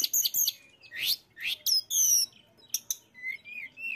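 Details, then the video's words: Mountain tailorbird singing in a lively burst meant to provoke rival birds: very high clear whistles, quick rising sweeps and paired sharp notes, ending with softer lower wavering whistles. "TLEDEKAN GUNUNG GACOR AMPUH MERANGSANG BUNYI BURUNG LAWAN"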